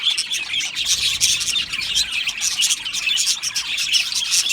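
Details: Aviary budgerigars produce a lively, overlapping chorus of high chirps and chattering warbles, dense and unbroken from start to finish.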